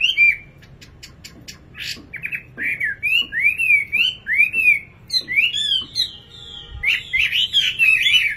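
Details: Singing nightingale giving loud, varied whistled phrases, many rising then falling, some slurred and warbling, delivered in quick succession after a few sharp clicks at the start.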